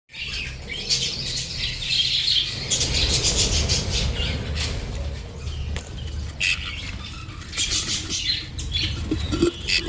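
Budgerigars squawk and chatter in harsh bursts while fighting, over a low rumbling background.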